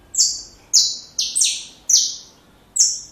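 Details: Saffron finch song meant for young birds to copy: separate bright, high chirps that each drop sharply in pitch, spaced irregularly with short silent gaps between them.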